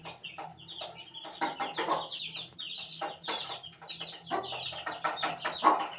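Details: High-pitched, downward-sliding cheeps from eighteen-day-old chicks, coming in uneven bursts, some doubled, alongside several crisp tapping clicks and a faint low hum.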